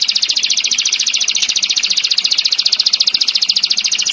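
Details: Tembakan master song of a canary, tight and sharp with long rolls, used to tutor other songbirds: a loud, rapid, machine-gun-like trill of high notes, evenly spaced and unbroken.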